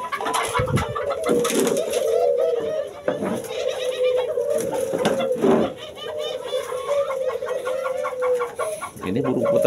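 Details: Many caged doves, including spotted doves and zebra doves, coo together in overlapping low, rolling phrases at a breeding setup in Bekasi, West Java, on a windy late afternoon when the birds start calling; a man talks at times and there is light clatter.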